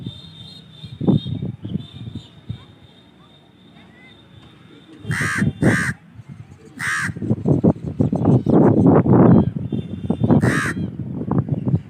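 A crow gives four harsh, hoarse caws, two close together and then two spaced apart, over low murmuring voices and rumble.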